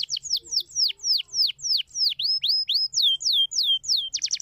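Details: Canary singing to encourage other canaries to sing, a steady run of clear, high down-slurred whistles, about three per second, ending in a quick burst of rapid notes.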